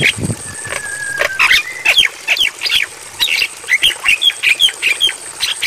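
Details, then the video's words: Training song for Javan myna, for playing at night: a long level whistle, then a lively series of short, squeaky, hooked whistles and squawks, over a faint background hiss. "Masteran Bagus Untuk Burung Jalak Kebo"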